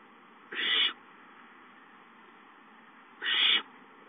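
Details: Barn owl owlets hissing as an adult arrives with a mouse at 8:19, 19 April 2013; two rasping, noisy hisses of roughly half a second each, about three seconds apart, over faint constant hum.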